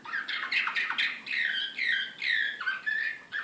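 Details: Serbian Slavujar song canary, Belgrade, 2016, described as excited, singing a loud, fast run of varied whistled and buzzy phrases, including rising and falling slurs and short trills, with brief gaps between the bursts.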